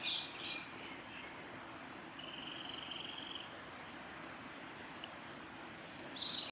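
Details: A young Eurasian wren on the Mizusawa forest road, Tanzawa, Japan, 22 May 2016, gives thin, high chips and a sustained high buzzy note of about a second, over steady background hiss.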